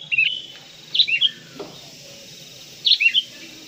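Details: Sooty-headed bulbul song from a training recording: three short bursts of bright, bubbling whistled notes, each a quick rising and falling cluster, separated by quiet pauses of about a second or more.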